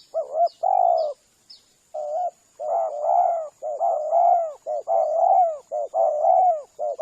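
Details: Spotted dove lure call for attracting doves: opening doubled coo then long coo, after which mellow coos run nearly continuously and overlap, with short breaks, a few high chirps early on and a thin steady high tone.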